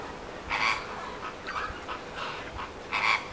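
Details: Captive greater flamingos at a wetland centre in Lancashire give harsh, nasal, goose-like honks, four short bursts spaced roughly a second apart over a soft, steady background.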